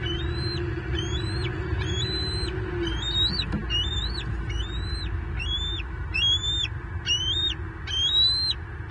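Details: Lone bald eaglet, Southwest Florida nest camera, 9 May 2023, as fish are delivered: a long series of high piercing whistled notes, each climbing then leveling and cutting off, evenly paced about once a second or faster.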